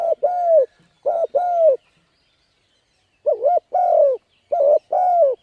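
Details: Calling spotted dove, a lure for wild birds, giving four two-note coos: a clipped wavering note then a longer downward-sliding coo, with a silent pause mid-sequence.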